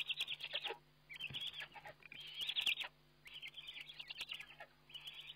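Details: Repeated high, quavering trilled calls in short bursts with brief gaps, plus scattered rustles and taps, from a Eurasian eagle-owl seen by webcam at feeding time, 29 May 2011.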